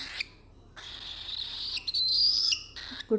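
A cockatiel gives high, squeaky, speech-like chatter with a rising whistled note.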